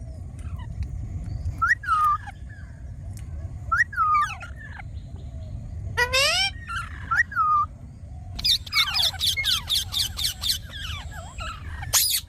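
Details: Ringneck parrot giving short, bent whistles roughly every two seconds, then a burst of rapid raspy chatter, all over a steady low background hum.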